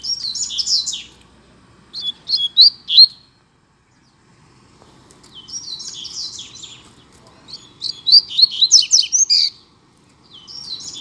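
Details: Competing double-collared seedeaters (coleiro) in a singing duel: repeated phrases of quick, high twittering notes, some trilled, broken by silent gaps of one to two seconds, with faint low background noise.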